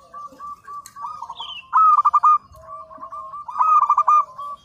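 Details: Singing local zebra dove recorded as a master for training birds: a purring series of short cooing notes leading into louder, rapid stuttered phrases, with a faint high chirp early on.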